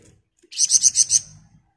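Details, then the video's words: Sunda bush warbler singing energetically in the 'ngebren rapat' style: a brief, bright rattle of five evenly spaced high buzzy pulses, then quiet. "Burung Flamboyan Gacor Ngebren Rapat"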